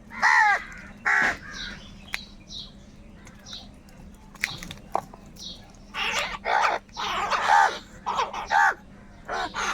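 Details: Crows fighting over food caw loudly and harshly, about one call per second in ragged bursts, with quieter gaps between and faint background chirping.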